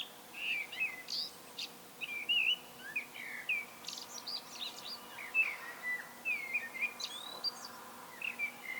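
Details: Common blackbird in solo song, delivering repeated short fluted phrases, each rich whistle trailing into high squeaky twitters, with brief pauses between phrases over a faint steady hum.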